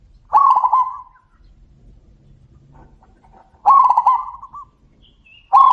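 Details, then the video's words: Zebra doves calling back and forth: two loud, rolling coo phrases near one pitch, each a quick burr of notes trailing off, about three seconds apart, with a third phrase beginning at the end over a quiet background. "suara panggilan burung perkutut - saut sautan - suara besar"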